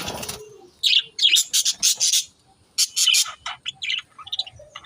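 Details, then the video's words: Pet budgerigar talking in bursts of sharp high chirps and warbling syllables separated by short pauses, with some lower murmured notes near the end. "They're talking"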